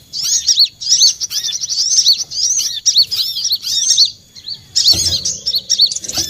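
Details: Lure call of olive-backed sunbird for trapping: fast, high-pitched chirps and downward-curving whistles in steady phrases, a short pause, then more chirping over a faint low hum near the end.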